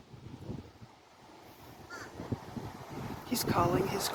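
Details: In Florida, a crow gives a brief harsh caw near the end, calling to other crows, with a person talking and outdoor wind noise throughout.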